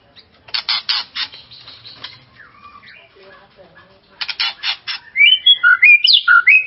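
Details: White-rumped shama song used to provoke another shama: rapid rattling chips, a quieter warbled stretch, then more rattles and bright swooping whistled phrases.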